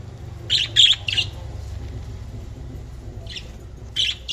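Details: Budgerigar chirps: three quick harsh notes, a long quiet gap, then a few more scattered chirps, with steady low background hum.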